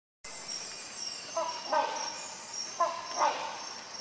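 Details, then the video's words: Rhinoceros hornbill gives two paired, nasal honking calls about a second and a half apart, over a steady high insect hum. "Rhinoceros Hornbill call"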